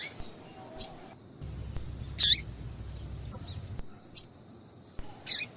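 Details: Female double-collared seedeater calls meant to get a male singing: brief, sharp, high chips spaced irregularly about once a second, one slightly longer buzzy note, over a low steady hum.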